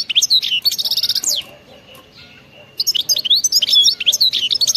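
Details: European goldfinch song called bitbita, wild-type (khalawi) style: rapid bursts of high twittering notes with buzzy trills and sharp upslurs, pausing about a second before resuming.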